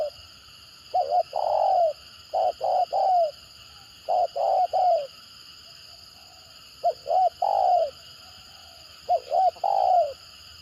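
Spotted dove cooing in low, soft phrases: two or three clipped notes, then a longer rolling coo, repeated about every two seconds over a faint steady high hum.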